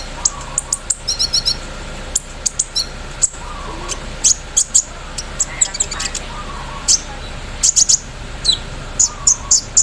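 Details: Van Hasselt's sunbird, kept caged and put out in morning dew, in full song with embroidery-machine mimicry: scattered very high sharp ticks and chirps, a brief fast trill early on, with faint lower chirps behind.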